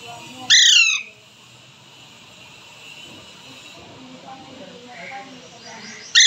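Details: A two-month-old Alexandrine parakeet chick, a pet said to be talking, gives two loud, harsh squawks that slide downward, one near the start and one at the very end, with a quiet stretch between.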